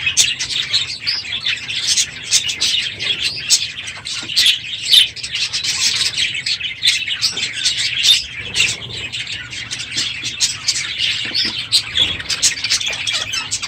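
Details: Aviary flock of budgerigars at the end of the breeding season, unusually loud one morning; a steady wall of high chirping, squeaky warbles and sharp calls from many birds, with brief louder bursts.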